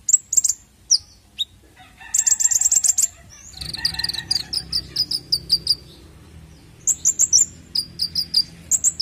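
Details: Lure sound of a konin bird for young birds: very high, thin chirps and short trills in clusters, including a fast rattling series, then a steady line of bright repeated chips and more high bursts.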